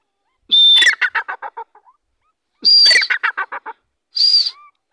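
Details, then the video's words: Grey francolin in lively full voice. It gives two loud phrases, each opening with a strained, harsh note and then breaking into a fast run of clipped notes that grow quicker and fainter. A third short harsh note follows, with silence between phrases. "teetar ki bahtreen awaz/masti wali boli teetar ki"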